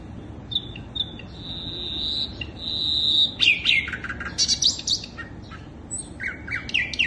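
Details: Sikatan londo flycatcher singing as a lure for birds: long thin high whistles at first, then a lively stretch of fast slurred and chattering notes ending with upward-sweeping whistles.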